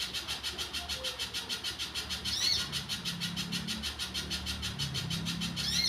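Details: Wild little spiderhunter singing energetically, a monotonous train of high, rasping notes at a quick, regular pace, with occasional sharp rising chips and a faint low rumble in the background.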